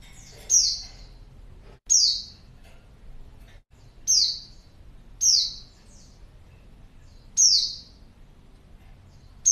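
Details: A female white-eye uses a lure call for males: six sharp, very high, downward-sliding notes, loosely spaced, with a few faint softer chips between them.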